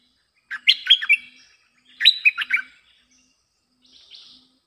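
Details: Bulbul song used for luring wild birds: two brisk, jumbled chirping phrases about a second apart, each a tumble of bright notes, followed by a softer, buzzier fragment.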